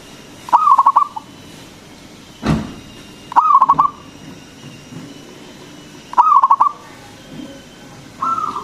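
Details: Loud local zebra dove song played as a lure to make other doves sing: three bursts of quick staccato cooing notes about three seconds apart, then a softer sustained coo at the end over a faint hum.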